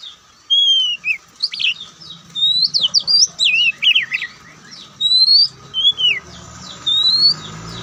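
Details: White-breasted Oriental magpie-robin giving varied song in the Ngobra style. Clear downslurred whistles and jumbled chirping phrases are spaced by short pauses, over a faint low rumble in the background.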